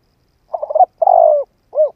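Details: Decoy spotted dove coo played to spur on a trainee bird: a stuttering rolled opening, then a long falling mellow coo and a short hooked final note, low and soft against silence.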